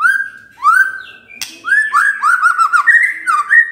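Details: White-rumped shama in morning song, played to stir a quiet bird into singing: long clear whistled notes, a sharp click, then a rolling warbled run of mellow phrases.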